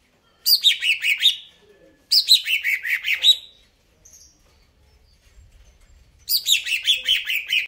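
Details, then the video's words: Greater green leafbird singing vigorously: three bright, rapid phrases, each falling from a piercing high note into a quick chattering run, with a silent gap of nearly three seconds before the last. "cucak ijo"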